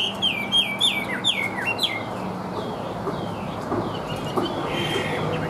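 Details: A Chinese hwamei, described as singing well with an even voice, gives a run of loud, repeated, downslurred whistles, then fades behind steady rumbling background noise.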